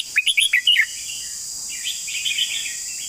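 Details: Red-whiskered bulbul opening with a rapid string of about six cheerful, warbled notes in its long song, then quieter chattering from other birds behind a steady high hiss.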